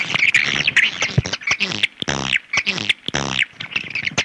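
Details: Swiftlet call sequence of rough, buzzy chirps in short bursts, some with a bright whistled tone, spaced by brief pauses and dry clicks.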